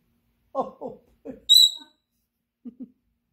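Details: A pet galah let out indoors while friends visit gives one loud, shrill screech lasting under half a second, with low murmuring human voices before and after.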